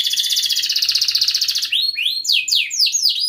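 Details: Singing canary meant to stimulate other canaries: a long, rapid buzzy roll of pulsed notes, then a run of loud downward-swooping whistled notes repeated about four times a second.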